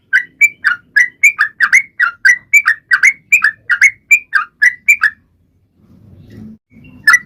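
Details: Sooty-headed bulbul in spirited song used to make silent birds start singing: about five seconds of fast, repeated short whistled notes, then quiet with low rumbling and a last single chirp.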